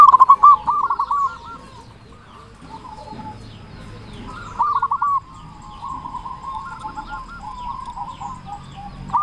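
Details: Zebra dove of a local strain singing loudly to lure other doves: brief trilled coo phrases at the start and in the middle, with softer cooing and faint chirps from other birds in between.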